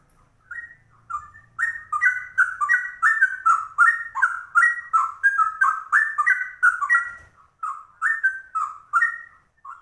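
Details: Rare yellow-vented bulbul (trucuk) delivering a rapid ropel song in the style of the straw-headed bulbul: fast, rich whistled notes jumping up and down, nearly three per second, in an unbroken run after a short hesitant start.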